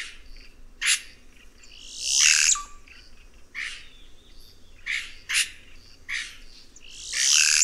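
A Red-rumped cacique gives harsh, rasping bursts and squeaky, ringing notes every second or so, with two longer scratchy phrases.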